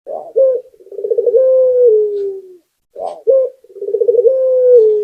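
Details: Local puter, Barbary dove, singing gacor-style, offered as a lure to prompt other doves to sing: a short hollow coo, a rolling bubbling trill, then a long level coo sliding slightly lower. The phrase repeats twice with a brief pause between.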